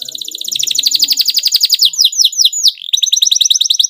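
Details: Excited canary pouring out a tight rolling song to prompt other canaries to answer: a rapid buzzy trill that shifts into repeated swooping, slurred notes, continuous and loud.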